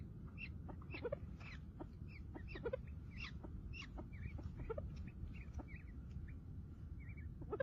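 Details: Houbara bustard with chicks: short high chirps and clucking notes repeated rapidly, some in quick double notes, with clicks and handling-like knocks over a steady low rumble.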